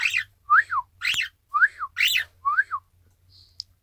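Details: Pet Isabelle pearl cockatiel copying a whistled "ppoiyo", recorded 1 December 2018: buzzy, broadband arches alternate with clear slurred whistles roughly twice per second over a faint low hum, ending with a short click.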